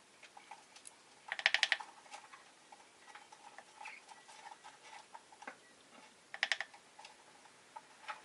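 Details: Rosy-faced lovebird kept as a pet, two bursts of rapid scratchy chattering notes several seconds apart, with scattered clicks and ticks between them.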